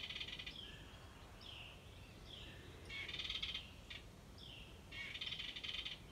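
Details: A wren at a birdhouse gives buzzy, rattling chatters in bursts of about a second, with short slurred notes between them, over a steady background hiss.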